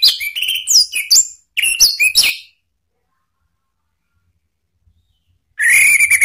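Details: Orange-headed thrush in Indonesia, a provoking call used to challenge rival birds and get stalled singers going again: rapid chirping, whistled notes sliding up and down in two quick bursts, a long pause, then one more loud whistled phrase.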